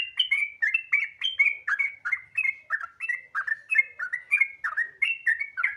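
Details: Sooty-headed bulbul in continuous gacor ropel song, used to make other bulbuls sing quickly: crisp, bubbly whistles following one another rapidly, each a short slurred phrase, on an otherwise clean, quiet background.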